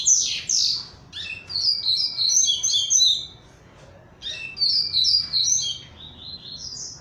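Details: Double-collared seedeater kept in captivity, just out of moult and slimmer: two bursts of quick, high twittering song separated by a pause, opening with loud sharp chirps, each phrase a rapid tumbling series of sweet notes.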